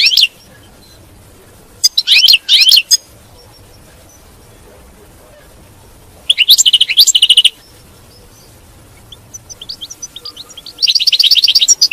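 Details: European goldfinch song in the batbata style, used to keep a captive goldfinch singing: three separate bursts of rapid tinkling twitters, each about a second long, split by quiet pauses with a few faint notes.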